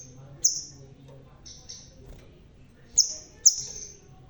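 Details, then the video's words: A balding red-tailed crimson sunbird, singing keenly, gives a sparse phrase of four thin, high chips with hissing buzzy tails. The notes are separated by short pauses, with a soft low hum behind them. "Burung Sepah Raja Ekor Merah.. Biar Botak Tapi Tetap Gacorrrrr.."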